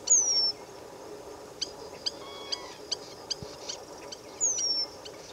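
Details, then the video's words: Eurasian penduline tit calling in Israel in December: a thin, high, drawn-out descending whistle at the start and again near the end, with sharp clicking ticks spaced between them against a quiet background. "Eurasian penduline tit calling"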